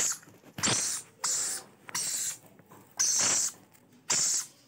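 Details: Rainbow lorikeet chicks at feeding time: insistent harsh, hissing rasps in short bursts, about five within a few seconds, with quieter scratchy sounds between them.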